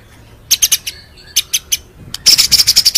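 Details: Rolling, shooting song of a white-rumped shama for bird training: bursts of sharp, very high notes in groups of three or four, ending in a rapid piercing high rattle.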